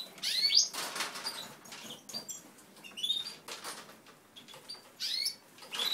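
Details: Caged European goldfinches kept for breeding, including cheveral, pea-throat and pied-carrier birds; quick high up-sweeping chirps in short bursts, spaced about two to three seconds apart, with wing fluttering and cage rattling between them.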